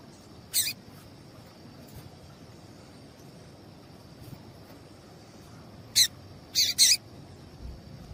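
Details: Female double-collared seedeater calls, used to stir a male into singing: four sharp, high chips, one early and three bunched near the end, over a faint steady high whine.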